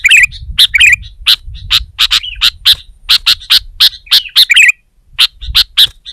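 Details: Sooty-headed bulbul singing against a rival: rapid sharp clicks and short bubbly, whistled phrases follow one another, then a brief pause before the notes resume.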